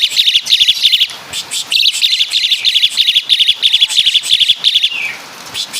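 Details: Asian pied starling of Java imitating caladi and kapas tembak, giving a steady string of clustered high chirps, roughly three per second, with a short pause near the end.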